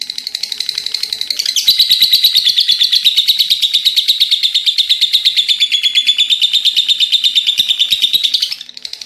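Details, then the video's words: Sustained high, buzzy lovebird chatter in the ngekek style: quick regular pulses swell in loudness after a soft start, hold a steady shrill rattle for about seven seconds, then fade off. "Love Bird gacor ngekeek panjang"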